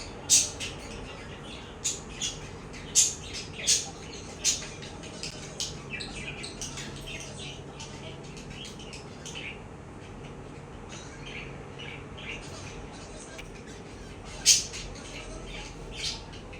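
A budgerigar gives sharp, high chirps in irregular bursts, with quieter chattering between them.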